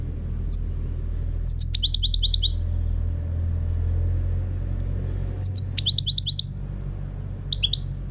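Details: European goldfinch repeating its song: two bursts of quick, tinkling high twitters, each led by a thin single note and lasting about a second, separated by a few seconds, then a brief chirp; low hum throughout.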